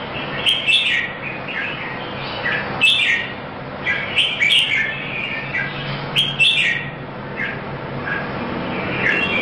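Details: Red-whiskered bulbul singing at a singing competition in Singapore; bright whistled phrases around the upper-middle range, rising and falling, delivered in bursts every second or two over a steady background hiss.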